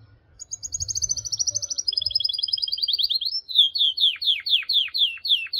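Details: Singing canary: a rapid high trill sliding gradually downward, then slower, louder, sweeping whistled notes repeated about three per second, each dropping steeply in pitch.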